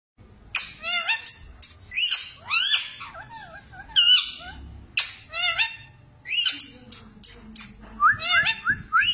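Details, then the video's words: A talking parrot chatters in short bursts of speech-like phrases, harsh and nasal with whistled inflections, about one phrase every second. "طوطا بول رہا ھے"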